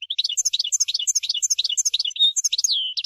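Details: European goldfinch in a long singing performance, played to prompt other goldfinches to sing: rapid, high, tinkling twitters and buzzy trills packed closely together, ending in a drawn-out falling whistle.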